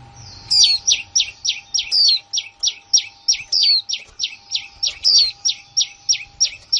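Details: Newly kept female white-eye, 2020, breaks into a rapid 'líu' run: around eighteen short, high, downward-slurred notes delivered evenly at about three per second, over a faint continuous hum.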